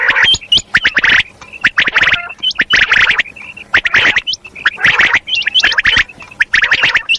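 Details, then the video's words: Calling female common quail, known as batair: clustered harsh chirping bursts about once a second, separated by brief high whistles with a sharp upward hook. "common_quail_calling batair ki awaz madi kirak | quail sounds | female quail calling"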